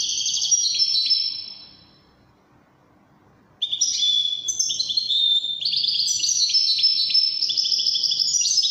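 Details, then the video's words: Widani-style Moroccan goldfinch song: a fast tinkling phrase that fades, a silence of nearly two seconds, then a long lively burst of rapid metallic twitters and trills, clear against a quiet background. "الحسون الويداني الملك الذي يستحق استماع وتمتع في ادائه في التغاريد الويدانية المغربية"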